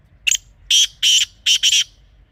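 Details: Kala teetar, the black francolin, calling in a natural setting in Pakistan: a quick, sharp introductory note followed by four strident, grating notes, the last two run closely together, over faint low background noise.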